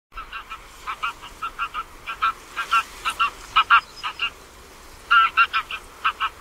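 Greylag geese give a run of nasal, brassy honks, around twenty in six seconds, some in quick clusters, with a short pause midway.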